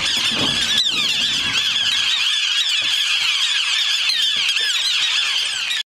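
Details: A dense colony chorus of River terns on an island at Bhadra, Karnataka, India, visited once a year on migration: many shrill, harsh, overlapping high calls pour out continuously, with a faint low rumble of traffic.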